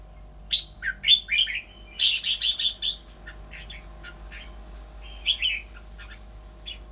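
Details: Caged red-whiskered bulbul used as a decoy bird, nearly finished moulting, singing a lively run of sweet slurred whistles followed by a burst of rapid harsh chattering notes, then scattered softer chips and a final whistled phrase.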